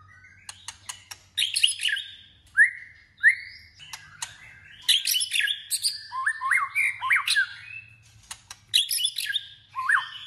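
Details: Long, dense song of a white-rumped shama in competitive singing and voice training. Rich varied whistled phrases, dipping slurred notes and sharp clicks follow one another quickly.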